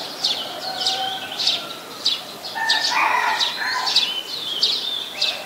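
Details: High, sharp chip notes from a brown-throated sunbird, recorded in Ubon Ratchathani, Thailand, on 13 January 2021 with a Nikon P1000, repeated about every half second, while a lower, warbled sound joins briefly midway.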